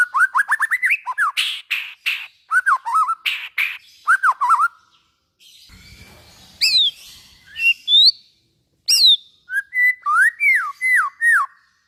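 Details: Singing white-rumped shama, meant to stimulate other shamas: rapid chattering trills and harsh bursts with slurred whistles, a pause, then sharp rising upslurred notes and falling whistles.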